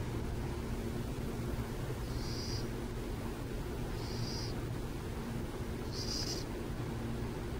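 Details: Burrowing owls in San Jose: three high, hissing half-second screeches spaced about two seconds apart, the last one loudest, over a steady low hum of traffic and mains drone.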